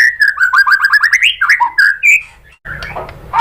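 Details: Lure song of the white-rumped shama (murai batu) from Indonesia: a quick, chattering trill of rising notes about three per second that climbs in pitch, then a few whistles, a pause, and a noisy burst.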